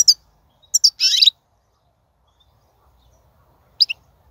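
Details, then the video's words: High chirps and a short buzzy, twittering burst, then a lone double note after a pause, from wild European goldfinch song recorded in 2019 for prompting caged goldfinches to sing. "بتبتة الحسون , (بتبتة برية 2019)"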